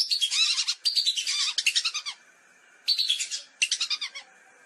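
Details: Hunting-lure recording of lesser whistling ducks: four separate bursts of fast, high twittering whistles, each a quick chain of sharp notes, separated by short silences.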